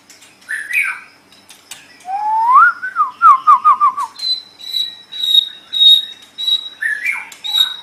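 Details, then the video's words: White-rumped shama tutor song for cage-bird training: a clear rising whistle leads into a bouncing run of looped notes, then a long steady high whistle repeated several times, with soft chattering between. "Suara Burung Murai Batu"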